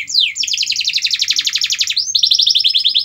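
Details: Canary song used to stimulate a lazy canary to sing: a swooping whistle, then a long, very rapid pulsed trill and a second bright trill after a rising slur.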